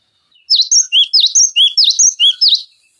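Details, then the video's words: Cinereous tit in full song, used to train other songbirds such as magpie-robins and green leafbirds; a steady string of high, ringing two-part whistled notes, about nine in three seconds, clear and loud. "Masteran Pancingan Gelatik Batu Gacor Full Isian Tembakan Tajam Durasi Panjang"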